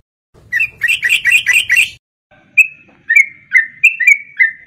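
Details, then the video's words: Sooty-headed bulbul song played as a fast lure, 'garuda ropel' style: opens with a harsh, rasping chatter of about six rapid notes, pauses, then switches to clear slurred whistles in quick pairs. "Pancingan trucuk garuda ropel,pancingan trucuk cepat garuda"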